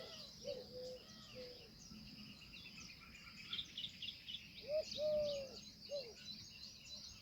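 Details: Indian peafowl heard faintly at first with a few short notes, then a louder clipped note, a long even drawn call and another short note near the end, amid busy high-pitched chirping of small birds.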